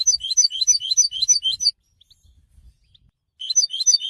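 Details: Goldfinch song, used to announce presence, attract females and interact with other goldfinches: fast, high twittering phrases of bright chirps, a burst of about two seconds, a silent pause, then the twitter resumes.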